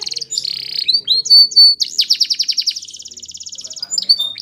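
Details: Spanish Timbrado canary singing a training song: a fast run of high chirps, then steady whistled notes, sweeping slurs and a long buzzy rattling trill of rapid repeated notes, clean with no other sounds.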